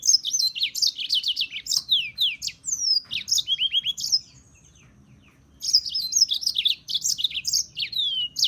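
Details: European serin song: rapid, jingling, high-pitched tumbling phrases of short descending notes, sustained for about four seconds, a brief pause, then resumed just as fast; no other clear sounds.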